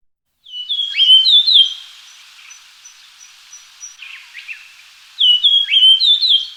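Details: Japanese grosbeak singing two loud phrases of fluty, downslurred whistles about four seconds apart, with a quieter interval of soft chirps and regular high ticking notes between them.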